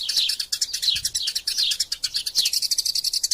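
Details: Quarrelling Eurasian tree sparrows, recorded for masteran use: shrill, overlapping chirps and downslurred tweets in a quick, agitated chatter, scarcely pausing.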